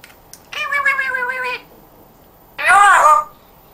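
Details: Pet African grey parrot indoors, said to speak in a Yorkshire accent: a steady harmonic voice-like phrase lasting about a second, a pause, then a harsher, noisier vocal burst.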